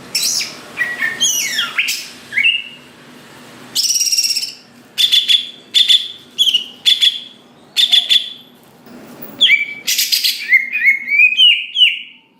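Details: Greater green leafbird song used to provoke other leafbirds into fast singing: varied whistles, sweeping slurs and sharp chips separated by short pauses, ending in a run of quick stepped notes climbing and falling.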